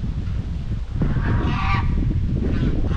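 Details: Domestic white Chinese geese on a farm, grazing, bathing and socially calling, give a loud, harsh honk lasting nearly a second, then a shorter honk starting at its end, over heavy low rumbling background noise.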